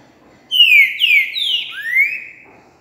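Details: Green-winged saltator singing its three-note boiadeiro song, recorded 28 January 2020. Three loud, clear whistles slide downward in quick succession, followed by a longer upslurred whistle. A faint low background murmur is heard.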